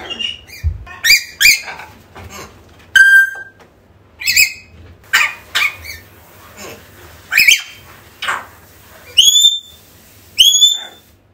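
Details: African grey parrot calls meant to lure a lost bird back: a busy series of squawks, clicks and short whistles, ending with two high clean whistles with strong overtones.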